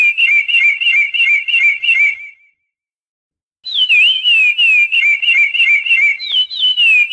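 Chestnut-bellied Seed Finch singing clear, fluty whistled notes, about three a second, with slurred rising and falling turns, a brief pause, then more phrases.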